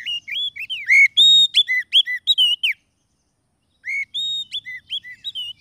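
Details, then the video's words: White-rumped shama lure song for trapping birds in the wild: rich, rapid run of bright whistles, slurred up-and-down notes and ringing tones, broken by a second of silence before another varied whistled phrase. "SUARA PIKAT KACER PALING AMPUH"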